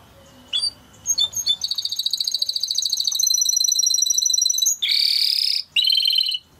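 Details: Timbrado canary singing, from a recording meant to train canaries: a few scattered chirps, then a long, fast, even trill that builds steadily, followed by a harsher buzzing roll and a brief clear trill.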